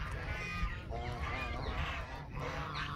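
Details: Many Canada geese calling together in a dense jumble of overlapping honks, over heavy low-frequency background noise.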